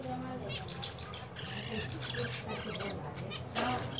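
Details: Several zebra finches heard in the winter season giving short, high, nasal chirps in quick overlapping series, with a low hum underneath.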